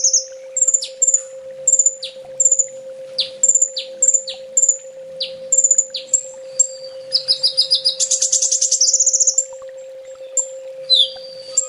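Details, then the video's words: Sunbird training song: a series of sharp, high, downward-sweeping chip notes repeated about twice a second, then a fast buzzy trill and a final slurred call, over a steady low hum. "Suara masteran burung kolibri ninja full tembak"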